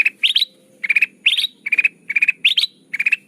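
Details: Sooty-headed bulbul lure call used to attract birds for trapping: clean, loud bursts of bright chirped notes, each a quick run of three or four rising whistles, repeated about twice a second with short gaps, no other sounds.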